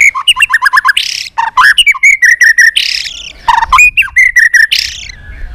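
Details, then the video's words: White-rumped shama, a fighting bird singing many voices to provoke rivals: a rapid bouncing series of clear whistles, broken by harsh buzzy bursts, then more quick fluted notes and a final rasp. "chòe lửa hót nhiều giọng kích bổi hót đấu"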